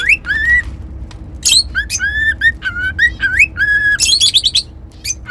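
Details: Cockatiel kept as a pet, whistling and singing: a fast run of clear, upslurred whistled notes and chirps, some doubled, in steady succession with brief squawky bursts.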